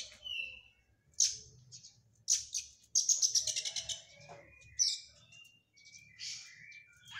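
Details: Oriental magpie-robin in training after its moult, singing fast, varied phrases: sharp high chips, a short whistle, and a quick burst of rapid repeated notes near the middle, with a faint low hum behind.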